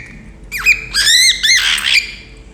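A cockatiel gives loud, bright whistled chirps with sweeping rising and falling notes, the sound of a contented bird.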